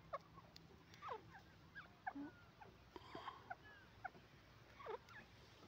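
A francolin gives short, harsh, shrill notes in brief clusters about once a second, against a low background hiss.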